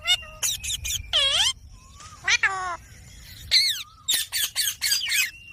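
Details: Talking green parrot kept as a pet: a long buzzy, harmonic-rich squawk, drawn-out falling whistles, then a fast string of short harsh chattering notes.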